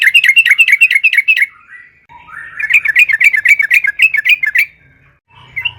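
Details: Sooty-headed bulbul (trucukan) in full song, offered as a lure to get other trucukan singing: quick bursts of chattering, bubbly whistled phrases repeated several times per second, separated by short gaps.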